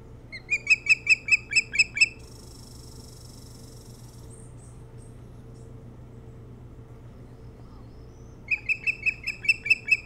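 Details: An osprey at its Hog Island nest in Maine, recorded by a nest camera at daybreak on 3 July 2018: loud, evenly spaced whistled chirps for two seconds, a long hushed stretch with brief rustling, then another chirping run.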